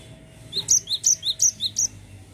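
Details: Short burst of cinereous tit 'ngerol' song: about five quick, high-pitched two-note phrases, low then high, evenly spaced, ending abruptly.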